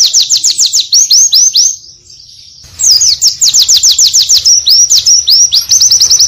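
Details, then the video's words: Oriental white-eye tutor song of high down-slurred whistles, some clearly spaced and some run into rolling trills, with a short pause near the middle. "AUDIO PLECI ISTIMEWA FULL VARIASI"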